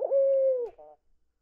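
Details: Indian ringneck parakeet kept as a pet, cooing for attention with twitching wings. A sustained, even, hollow tone slides slightly downward, then a brief softer buzzy note follows. No other sounds.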